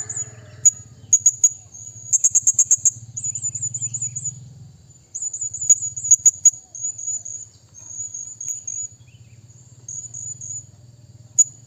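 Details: Calling a rival, a Blue-crowned hanging parrot gives fast clicking bursts and rippling high squeaky trills, then drawn-out thin notes, with a low hum beneath.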